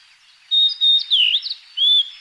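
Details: Blue-and-white flycatcher (Cyanoptila cyanomelana) song: clear, high whistled notes, some steady and some dipping then rising, given in short phrases with brief pauses.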